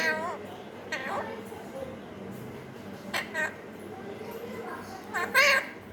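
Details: Alexandrine parakeet imitating a cat: wavering, harmonic meow-like calls with falling pitch at the start, near one second and around three seconds, then a louder, harsher mew near five and a half seconds, over a low background hum.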